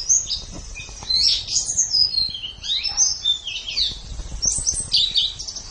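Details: Training song of a white-eye, used for caged birds in morning or evening sessions: rapid, jumbled high warbling with slurred whistles and brief pauses between bursts.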